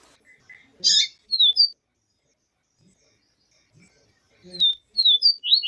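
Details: Yellow-bellied seedeater with a female call, used to excite males: a sharp, high chirp and two thin whistled notes, a long quiet gap, then a burst of rapid high slurred notes.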